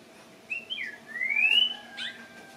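A greyish saltator sings rich, clear whistles: a short slurred note, then a long rising whistle, then a quick falling note, over a faint background hum.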